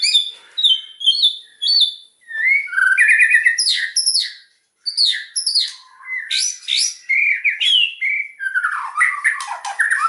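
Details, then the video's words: White-rumped shama song: a long varied sequence of whistled, slurred and chattering phrases at high pitch, with quick notes tumbling down and a brief gap midway. "KICAUAN MURAI KERAS NEMBAK SEKALI PUTAR LANGSUNG CEPAT MERANGSANG"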